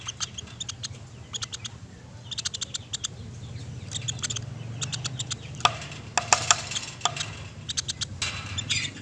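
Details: Woodpecker calls recorded as a tutor track for cage birds: bursts of very high, sharp, ticking notes in quick clusters, repeated throughout over a low steady hum.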